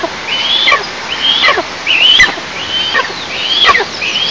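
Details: At an Eastern imperial eagle nest in an oil-producing district on a July 2024 morning. Five high, slightly rising whistles, each falling steeply at the end, come almost once a second.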